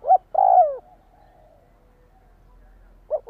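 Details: {'caption': 'Brief spotted dove phrase aimed at stimulating a decoy bird: one short note, a long sliding coo dropping in pitch, a quiet pause, then another short note beginning.'}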